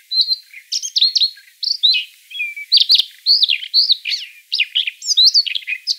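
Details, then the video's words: Siberian rubythroat song used to lure birds for trapping: a rich, varied warble of quick whistled phrases, slurred notes and short scratchy trills, delivered almost without pause, with a brief click near the middle. "Tiếng Oanh cổ đỏ để bẫy. นกคอทับทิม"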